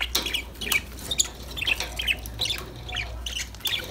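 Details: Budgerigars kept as pets chirping at a moderate distance: short high chirps repeated roughly every half second, interspersed with soft chatter and a low steady hum.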